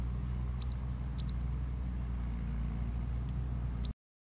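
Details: Eastern yellow wagtail in Malaysian paddyfields, 2 January 2022, giving thin, high, sharp calls, short and spaced irregularly about a second apart, over a steady low engine rumble.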